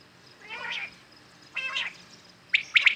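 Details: Common quails calling in the morning, a clear recording of real quails used for hunting: two soft nasal, harmonic notes, then a sharp, quick three-note whistled phrase near the end.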